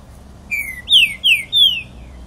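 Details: A pixarro sings a crisp phrase of four clear whistles, every note sweeping down in pitch, the second and third louder, spaced about a third of a second apart over quiet background hiss.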